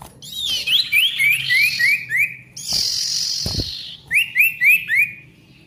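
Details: Ashy Tailorbird in full vigorous song, for coaxing silent tailorbirds back into song. Fast runs of short rising whistled notes, split by a long harsh hissing buzz and a brief thump.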